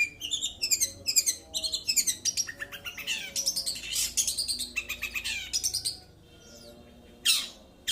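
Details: Cendet, the long-tailed shrike, in a roll-style song: fast runs of grating, buzzy and chattering high notes, some sliding, delivered almost without break, then a pause and two sharp rasping bursts.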